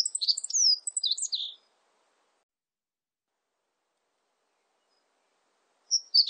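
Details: A meadow bunting sings a quick, high jumble of thin chirps and slurred notes for about a second and a half, then starts again after a pause, with insect sounds around.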